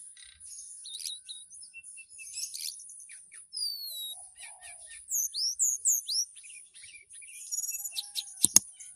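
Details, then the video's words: Caged mountain tailorbird from Purworejo, Central Java, singing in the relaxed flute-like nyuling style to call a female: thin high whistles, some rising and some falling slurs, scattered chirps, and a steady high hiss behind. "Tledekan Gunung Gacor Nyuling Panggil Betina"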